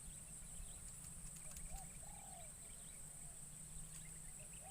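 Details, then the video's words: Decoy spotted dove calling in forest to attract wild doves, first outing in the wild; one soft low drawn-out falling coo after a brief note, with distant chirping birds and a constant shrill insect hum. "Burung Terkukur Pikat"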